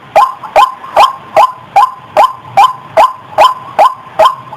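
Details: White-breasted waterhen, female, calling in a lure recording: loud, harsh 'kwak' notes repeated steadily about every 0.4 seconds, each a sharp abrupt croak, with a quiet background.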